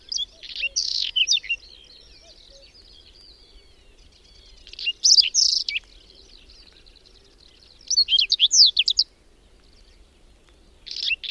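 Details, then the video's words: Whinchat singing during a sudden May snowstorm with strong wind, at the edge of the Berezinsky Biosphere Reserve settlement of Domzhyritsy, Belarus: short scratchy, warbling phrases of chirps and high whistles, bursts separated by pauses of two to three seconds over low wind rumble. "Луговой чекан в майскую вьюгу"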